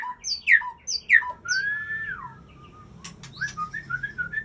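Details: White-rumped shama from Aceh delivers two bold falling whistles, a long smooth arching whistle, then quieter scattered notes and short chips, with faint background hum.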